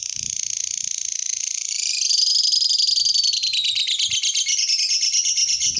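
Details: Lovebird singing to prompt other lovebirds to join in: one long, very rapid, rattling high trill that runs throughout, dipping slightly in pitch midway and climbing again, loud and unbroken.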